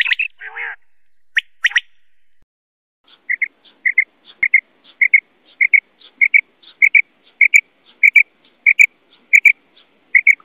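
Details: Common quail, apparently male: short, high, clipped double notes repeated steadily about every half second, after a few brief harsh bursts at the start.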